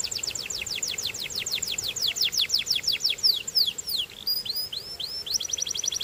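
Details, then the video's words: Belgian canary song made of repeated downslurred whistles, around three a second, ending in a sudden rapid trill and looping upward notes. "Belgian Canary Singing"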